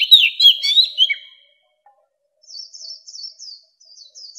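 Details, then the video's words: Mature wild Oriental magpie-robin song used to call in other birds: a loud jumble of buzzy whistled notes, a pause, then a run of thin high twittering phrases. No other sounds. "Tiếng chòe than già rừng hót - Tiếng chòe than gọi bổi"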